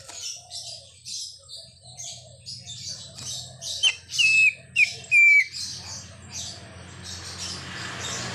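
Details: Imitation-filled song of a greater green leafbird, which also copies a car horn. Soft chattering and bird twitters lead into four loud whistled notes, the last two long and level, then a hissy background.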